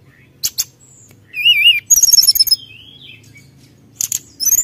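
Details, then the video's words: Brown-chested jungle flycatcher singing vigorously to provoke rivals: scattered sharp clicks, a wavering high whistle, a fast buzzy trill, a short slurred whistle, then a final rising whistle, with quiet pauses between phrases. "SRDC GACOR BIKIN LAWAN EMOSI"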